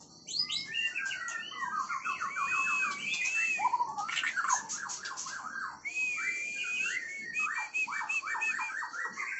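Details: Oriental magpie-robin in full, varied song: rich whistles, fast rattling runs of repeated notes, upward and downward slurs, and brief bursts of harsher notes, delivered continuously and loudly with few pauses.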